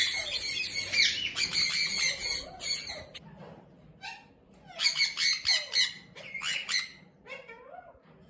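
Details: Male Indian ringneck parakeet, blue, kept as a pet, defending his nest box with shrill raspy screeches given in quick repeated runs of about four per second, broken by brief gaps.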